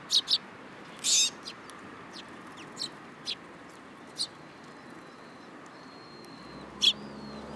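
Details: Sparrows perched on a person's hand at a Tenmangu shrine, 8 July 2022; scattered sharp high chirps, one harsher longer burst early on, over a steady low hum, with faint thin whistles near the end.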